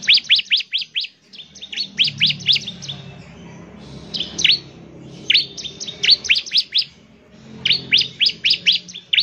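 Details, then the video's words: Fast, vigorous bar-winged prinia song, sung to spur other birds into singing, in four bursts of rapid, sharply descending high notes separated by brief gaps, with faint low rumbling beneath. "CIBLEK GACOR, NEMBAK NGEBREN UNTUK MEMANGGIL CIBLEK CEPAT BUNYI GACOR"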